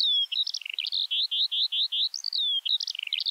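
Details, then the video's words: Continuous skylark song with buzzy repeated notes, clipped chirps and a couple of sliding whistles, delivered rapidly and without pause over a light background hiss. "Kiurun / Leivon laulua | Skylark Singing"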